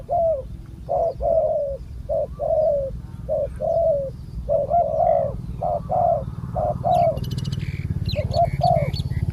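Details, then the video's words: Spotted dove, a wild bird with a large cooing voice, heard during decoy luring. Steady series of low paired coos, with a rising rumble and a brief rattling noise toward the end. "นกป่าเสียงคูใหญ่ๆ แต่ไม่รูกี่กุก"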